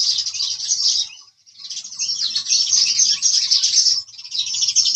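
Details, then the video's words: House sparrows chirping in a dense, overlapping chorus of bright, high chirps, several calls each second with a brief lull. "Sparrow Calling Sound | Real Bird Sound Relaxing Nature Audio house Sparrow Chirping Sound"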